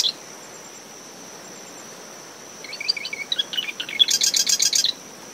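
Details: A single Marsh wren song, early morning in dune shrubs surrounding a nest. Rapid ticking introductory notes accelerate into a loud, pulsing buzzy rattle lasting under a second. A cricket tone is steady, and wind and waves are in the background.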